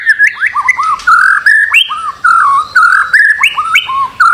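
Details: A white-rumped shama sings on a master recording meant to get birds singing, delivering mellow mid-pitched warbled phrases of rising and falling whistles in short bursts.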